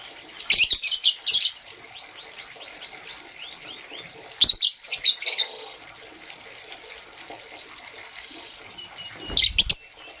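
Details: Green and blue lovebirds chirp in the morning in three bursts of rapid, harsh, high notes several seconds apart; between bursts a faint series of short rising whistles repeats.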